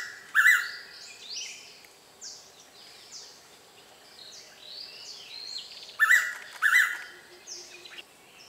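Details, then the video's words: A very tame Blue-winged Pitta, a wet-season breeding visitor, calls for several minutes from a nearby tree in Kaeng Krachan National Park, Thailand. It gives loud, clear double whistles, near the start and again after a long pause, over chirping songbirds. "Blue-winged Pitta Call"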